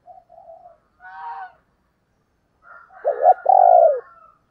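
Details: Spotted dove female, 'thổ đồng' voice style, a lure for wild males: soft low murmurs and a brief harsher note, silence, then a short strong coo and a drawn-out, smoothly falling hoot.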